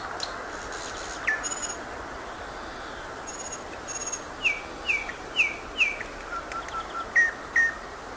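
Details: Song of a thrush nightingale: loose strings of short, slurred, downward whistles repeated roughly every half second, mixed with crisp high clicks, against a continuous rushing background noise.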